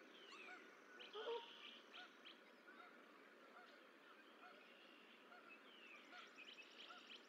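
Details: Goose at a nest in Decorah on 4-14-24, as the last of six goose eggs hatches and the parents prepare to coax the goslings to jump; a brief honk-like call near the start over a busy songbird chorus of trills and downslurred whistles, with steady background hiss.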